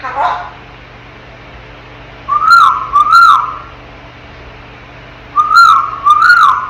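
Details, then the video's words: A 10-month-old African grey parrot, a pet in its crib, whistles in pairs of bright rising-falling notes, two clusters a few seconds apart, with a soft vocal sound at the start and a quiet room hum beneath. "CUTEST 10 MONTH OLD AFRICAN GREY PARROT TALKING AND MAKING SOUNDS"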